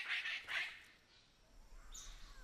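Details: A Palm Cockatoo pair meeting at their nest in Cape York Peninsula woodland, as they do each morning and afternoon, give two harsh, raspy squawks in quick succession, then a faint, thin high whistle over quiet hiss.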